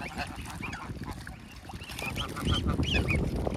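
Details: Geese protecting their goslings while being fed by hand, with swans and ducks nearby; a run of short, nasal, honking notes with bending pitch, several in quick succession, over low rumbling water and wind noise.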